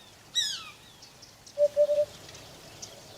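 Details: Single soft triple hoot from a Eurasian hoopoe (Upupa epops), called hudhud in Arabic, follows a loud, high, sliding downward call from another bird. Faint rustling fills the background.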